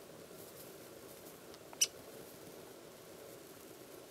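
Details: A Ladder-backed Woodpecker (Dryobates scalaris) at Bosque del Apache gives one sharp, high, very brief pik call against a low, steady background hiss.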